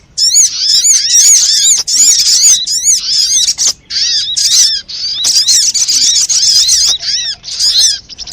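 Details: Sunbird lure sound for attracting birds to sticky traps: a fast, busy stream of high arched tweets, dense and insistent, with a few brief dips between phrases.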